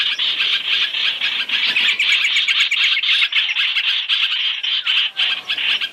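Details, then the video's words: Masked laughingthrush (hoành hoạch) three-in-one trapping lure: steady, grating chorus of squawking chirps in quick pulses, nearly continuous, easing slightly in the final second. "Tiếng chim hoành hoạch (trao trảo) mồi 3 trong 1 chuẩn để bẫy"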